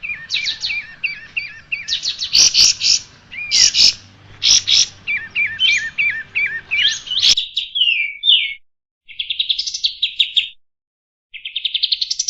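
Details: Striated grassbird song for teaching caged birds: lively repeated chirps and downslurred whistles over a background of hiss and clicking sounds, then clean buzzy trills and a rising series of notes after the noise stops.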